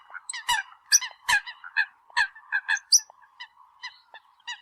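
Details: Eurasian coot calls for decoy use: fast, uneven series of loud clipped honks with occasional high squeaks, over a faint continuous hum.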